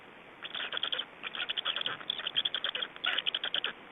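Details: Black stork nest in Estonia, evening of 24 May 2012, change-over and feeding: after a brief silence, bursts of rapid rasping pulses in uneven groups, roughly one burst per second.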